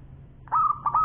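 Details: Single short phrase from an actively singing local zebra dove with a long champion voice: a brief lead note, then a sustained, steady coo broken by two quick trilled catches.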